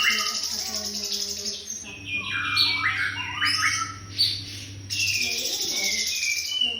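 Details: White-rumped shama song used as a training master recording: dense, rapid run of varied whistled and chattering phrases, some high and buzzy, others sliding down, with a steady low hum beneath and brief pauses near two and five seconds.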